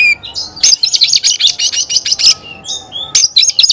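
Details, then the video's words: Oriental magpie-robin: a thin whistle, then a long, dense run of rapid high chattering notes, another brief whistle, and a final short burst of chatter. "Kacer gacor bikin kacer ngobra KONSLET"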